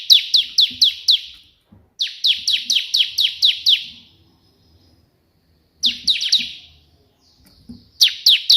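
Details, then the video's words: Bar-winged prinia (ciblek) delivering its energetic tembakan perenjak putih song: clipped bursts of five to eight high, downward-swept chips, separated by silences of one to two seconds, with occasional faint knocks. "burung ciblek gacor versi tembakan perenjak putih"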